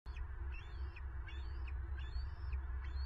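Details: Bald eagles at a nest in Southwest Florida, recorded on 9 March 2023 by a nest camera as a female takes prey: high thin chirps and short descending squeals in rapid series, over heavy low rumbling wind noise.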